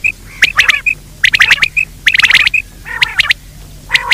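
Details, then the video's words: Quail giving a daytime call used to lure quail: harsh, scratchy bursts of rapid notes, about one burst per second, with short clear whistled notes between them. "Batir ki awaz Quail sound for day"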